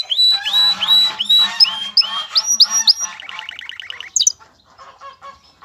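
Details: Male canary, described as ready to mate, sings to call a female. The song has bright slurred whistles rising and falling, repeated about once a second, then a quick rattling trill, a sharp high note and quieter notes.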